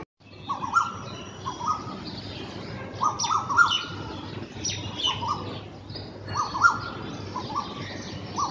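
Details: Pair of black drongos calling together in early morning in Bangladesh, establishing territory: clear mid-pitched whistled notes in short paired phrases repeated every couple of seconds, mixed with higher harsh chattering notes.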